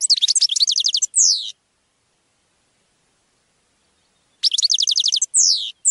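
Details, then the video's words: European goldfinch song used to educate captive birds: a rapid buzzy trill ending in a down-sweeping note, repeated after about three seconds of silence. "Canto de jilguero para educar /Goldfinch singing /Chant du Chardonnet Élegant"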